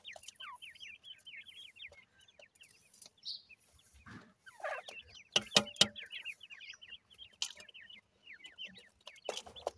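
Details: Brood of captive grey francolin chicks, offspring of a gora teetar male crossed with a dakhni teetar female, peeping in rapid runs of thin downward-sliding chirps, about four a second, broken by clattering knocks.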